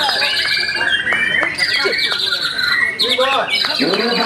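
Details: Caged white-rumped shama being groomed for song contests, pouring out a rich, varied song of loud whistled slurs, rising and falling notes and quick twittering phrases, with a busy background of other sounds.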